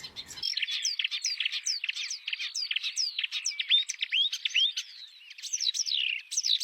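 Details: Oriental reed warbler song in the wild: a fast, continuous stream of sharp chirps and down-slurred whistled notes, some grating squawks mixed in, delivered with little pause.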